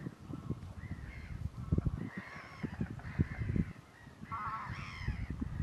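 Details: Pack of mostly male common mergansers chasing to and fro after females, Fyrisån, April 2 2022; several hoarse, honking calls, one with a rapid warbling quaver near the end, over low rumbling background.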